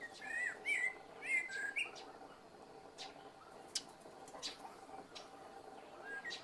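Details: Evening song of a common blackbird, leisurely and calm: a rich, flutey warbling phrase for about two seconds, then scattered sharp high clicks and ticks, with a soft whistle near the close.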